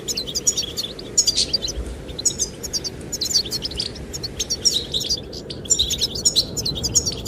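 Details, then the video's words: Goldfinches singing to attract the female: quick bursts of high, thin twittering chirps in loose phrases, with a steady low rush of wind underneath. "the chirping of goldfinches"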